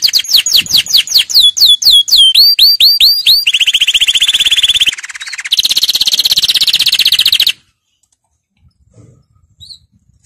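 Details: Canary song played for schooling young birds: fast repeated sweeping whistles, then a buzzy trill and a dense, even, high rattling roll. The bird stops abruptly and near silence follows for the last few seconds.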